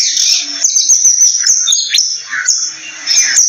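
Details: Oriental magpie-robin singing varied whistled phrases, with rising and falling slurred notes and short chirps, set against a steady high shimmering buzz, possibly insects, that runs through the whole recording.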